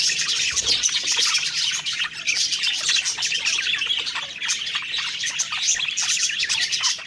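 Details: Happy budgerigars singing during feeding, a group of pet birds: nonstop high-pitched warbling chatter of quick chirps and scratchy notes, evenly loud, with an occasional harsher squawk mixed into the flock noise.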